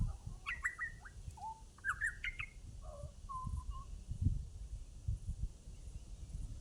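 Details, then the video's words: Butcherbird in Australia with short bursts of clear whistles and quick rising notes, then a few lower fluty tones, against low rumbling background noise. "Butcher bird"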